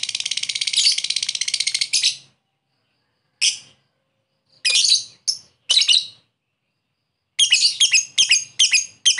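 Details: Lovebird ngekek used as a lure to call a rival: a dense, fast, high chattering trill for two seconds, then gaps broken by harsh chirps and a closing run of quick sharp notes.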